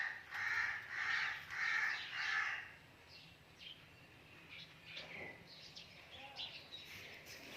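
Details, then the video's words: Pet ringneck parrot giving four loud, harsh, evenly spaced squawks about half a second apart, followed by quieter scattered chirps and background noise. "My Ringneck parrot"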